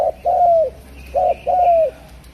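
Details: Spotted dove from Java, known locally as derkuku or tekukur, cooing in paired phrases: a short note then a longer falling coo, the pair repeated twice with a gap between.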